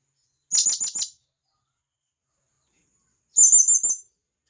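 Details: Wild forest blue-crowned hanging parrot calling companions, giving two quick series of four to five shrill high notes, the later series more drawn out and smeared, nearly three seconds apart.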